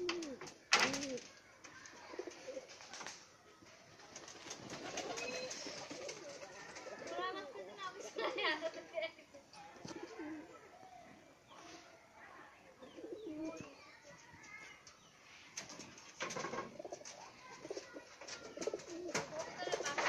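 Pigeons fighting, giving repeated throaty coos with sharp wing flaps and scuffling.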